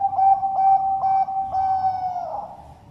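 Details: A captive-bred zebra dove (perkutut Bangkok) at a bird farm in Sidoarjo, East Java, Indonesia, coos in a soft, mellow, steady tone: short notes about every half second running into a longer final note that wavers and fades.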